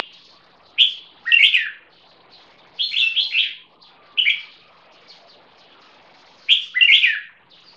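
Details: A 1.5-year-old champion-bloodline crossbreed bulbul, red-whiskered × yellow-vented with stripe-throated bulbul ancestry, sings short, bright, liquid phrases of a few quick notes, spaced irregularly one to two seconds apart, against a quiet background; Red-whiskered bulbul.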